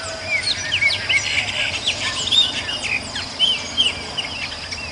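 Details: Purple-throated euphonia free in the wild: repeated brief slurred whistles, rising and falling, scattered densely through five seconds, with further faint bird notes and a constant high-pitched hum in the background.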